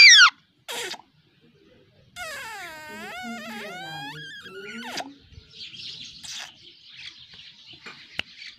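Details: Pet parrot whistling: a run of wavering, rich-toned whistles that bend up and down for about three seconds, followed by softer hissy chatter and a few short sharp notes.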